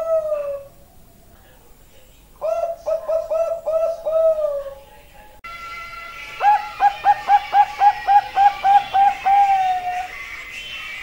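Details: Bangkok-type zebra dove singing competition-grade song: a single coo, then a burst of five rapid cooing notes, later a faster run of about eleven crisp repeated coos with a longer final note, over faint background hiss and other bird chatter.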